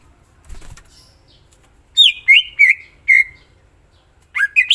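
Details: Greater green leafbird in full song: faint wing sounds, then loud rich slurred whistles repeated about four times, dropping in pitch, followed by rising sweeping notes.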